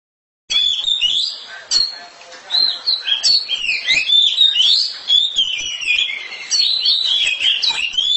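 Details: Loud song of a house-kept oriental magpie-robin: a long run of varied, high whistled phrases with sharp chips and slurred notes. It starts after half a second of silence and carries on nearly continuously to the end.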